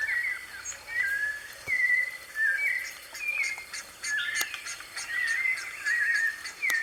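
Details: Live recording of a wild white-necked thrush: fluting whistled phrases mixed with some busier warbled passages, repeated in quick succession, with scattered ticking sounds and faint other chirps in the background.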